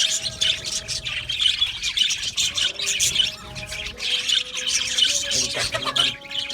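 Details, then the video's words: Several Australian budgies in an aviary colony chirping together, a dense high chatter of short scratchy notes and squawky bursts, loudest near one and a half and five seconds, over a low steady tone. "Budgie birds chirping sounds"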